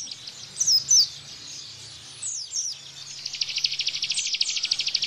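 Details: Bar-winged prinia song in the 'tembakan' style, played to train white-eyes. Loud high whistles open, a pause follows, then a fast, even, buzzy trill builds over the final two seconds.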